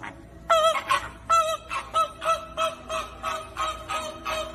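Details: Flamingo flock heard in a string of nasal, honking calls, each slightly wavering, repeated roughly twice a second after a quiet start, overlapping voices of several birds.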